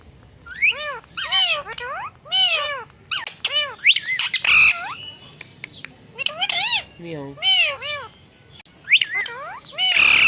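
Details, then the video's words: Dense chatter from talking and dancing parrots on a bird stand: repeated arched harmonic squawks, quick downward-curving notes and harsh noisy bursts, nearly continuous throughout. "Talking Parrot|parrot talking On Birds Stand"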